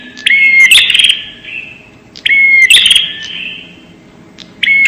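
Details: ['Bar-winged prinia lure call, very clear: a short pure whistle then a loud buzzy, rasping burst with echo, repeated about every two seconds.']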